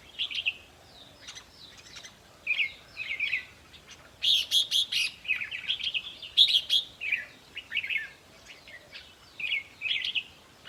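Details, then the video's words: Lively red-whiskered bulbul song for exciting caged birds in decoy trapping: repeated bursts of cheerful, bubbly whistles with sharp clicky accents, coming in steady groups throughout. "ต่อเพนียดนกกรงหัวจุกแก้มแดง เปิดให้นกฟัง ยั่วให้นกคึก"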